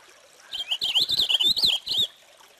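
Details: Purple finch singing a brief, rich warbled phrase of quick rising and falling notes, lasting about a second and a half, delivered continuously without pauses against a quiet background.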